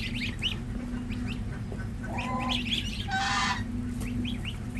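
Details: Domestic goslings, six days old, on a village farm in India, utter short, high, downslurred peeps in clusters, interrupted by one loud, rasping squawk midway, over a constant low hum.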